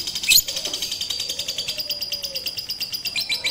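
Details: Lovebird trained on a rooftop with a master recording on 18 April 2021 to sing longer. A sharp opening chip leads into an even, rapid pulse of high, buzzy notes.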